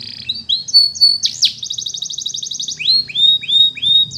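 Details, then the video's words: Canary training song: high bright whistled notes, then a fast even rolling trill of pulsed notes, ending in a series of sweeping rising-then-falling whistles repeated about every half second. A faint low hum runs underneath. "It's Impossible If Your Canary Doesn't Sound !! The Canary's Voice Called"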